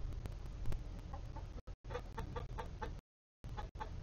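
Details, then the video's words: Chickens in a coop housing Polish, Golden Comet and Easter Egger breeds, giving a run of low, harmonic clucks repeated several times a second, with background hum and brief gaps of silence. "LIVE Chicken Coop Cam"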